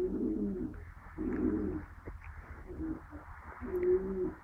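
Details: Peahen calling in an exchange with a person: a run of low, hoarse, cooing notes, each about half a second long, repeated roughly once a second with short gaps, over a quiet background.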